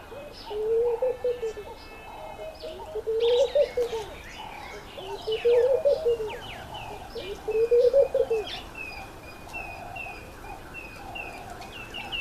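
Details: Male laughing dove displaying to win a female's attention, repeating a soft, bubbling, laughing phrase of low notes that rise then fall, four phrases about two seconds apart, with busy high chirps and twitters from other birds.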